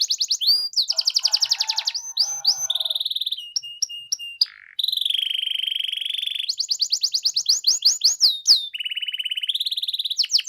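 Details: Canary song used to coax silent canaries into answering: varied rapid trills, spaced metallic notes, a long steady rolling trill in the middle, then more quick trills and whistled slurs.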